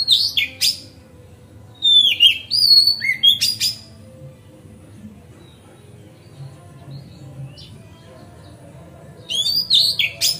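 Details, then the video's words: Magpie-robin song meant to make other magpie-robins respond, with clear descending whistles and sharp chips in two bursts separated by a long quiet gap holding faint distant whistles. "Pancingan Kacer Gacor Ngeplong Santai Bikin Buka Ekor Kacer Lain"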